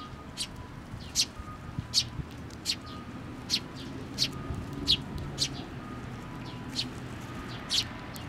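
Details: Fledgling sparrows coming to be fed on a post at a Tenmangu shrine, 25 May 2024: a rapid series of sharp, high, clipped chirps, irregularly spaced, over a low hum and a faint steady tone.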